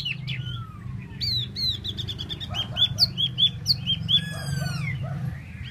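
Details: Solo-singing tieu mi bird produces a lively run of short, bright notes repeated roughly three per second, framed by slurred whistles, buzzy trills and a falling glide, with a low hum behind.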